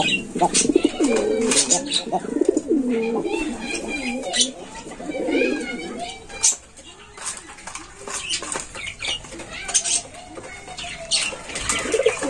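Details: Cooing of a young Indian Lotan pigeon, six days old, on a farm: rolling, warbling coos in the first half, then softer chirps and clicks with faint background chatter indoors.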